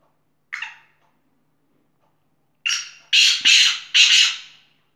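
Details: Black francolin calling: one harsh, buzzy note, a pause of about two seconds, then a rapid run of three loud, grating, broadband notes close together, over a quiet background.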